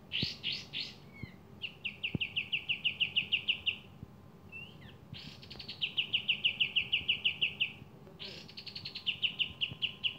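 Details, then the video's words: Javan kingfisher calling actively, giving three bouts of rapid, evenly spaced high buzzy notes, each about two to three seconds long, separated by brief quiet gaps with soft chirps and faint clicks. "Kapas tembak gacor dor"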